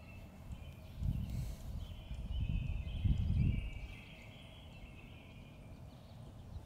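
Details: Pileated woodpecker drumming on a totem pole in Beaver Lake Park, Sammamish, Washington State, USA. Low, dull rapid rolls come in short bursts, a stronger pair near the middle, over a steady low rumble.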